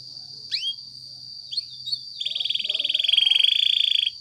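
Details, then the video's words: Spanish Timbrado canary singing a training song: a few scattered sweeping whistles over a steady high tone, then a sustained, even, buzzing trill that swells louder and holds for two seconds. "Many canaries join in singing after listening to this song"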